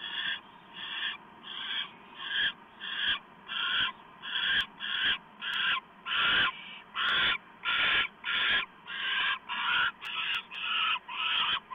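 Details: Owl at the nest as an adult delivers a small mouse, evening of 1 November 2015 around 7:12 PM: rasping, hissing screeches repeated steadily about every half second, with occasional faint clicks.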